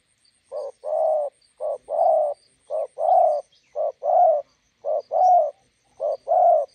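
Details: Steady two-note coos from a spotted dove, the decoy meeting a wild bird at a roadside in Gia Lai, Vietnam; each short note is followed by a fuller longer one, repeating about once a second, with light high chirps.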